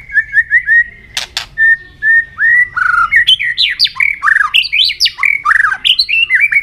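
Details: White-rumped shama contest song with constant tail flicking: soft repeated whistles, a sharp double burst, then varied loud fluted notes leaping up and down in quick succession, low hum beneath.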